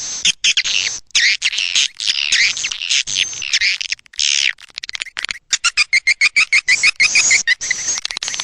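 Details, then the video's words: Swiftlet calling sound, Anak Muda style, used to draw swiftlets in: long buzzy high twitters at first, then quick separate chirps repeated several times a second, each with a bright rising note. "Suara Panggil Walet"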